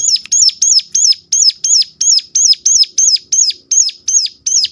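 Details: Sharp, piercing calls of a Sunda warbler, meant to stimulate other warblers to sing, repeated steadily about three times per second throughout, each note high and hooked downward, with a quiet background.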